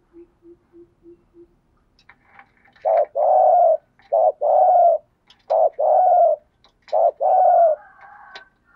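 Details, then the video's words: Spotted dove kept as a decoy to attract wild doves. Faint soft taps come first, then loud, husky, low coos in repeated two-part phrases, each a short note followed by a longer rolling coo, about four phrases in a row. "Tiếng chim cu gáy kích bổi rất hiệu quả/ cu cườm thúc gù bài bản, cu cườm mồi gáy giọng hay"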